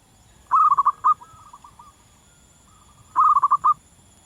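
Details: Zebra dove in the wild giving a long lively song: a burst of quick rolled, bubbling coo notes followed by a trailing soft coo, then the same stuttered phrase repeated about two and a half seconds later.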